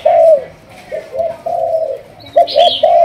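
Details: Spotted dove from Malaysia, 'thúc gù' strain trained as a decoy: a drawn-out mellow coo, softer coo notes, then a quick triple coo as a higher chirping bird joins.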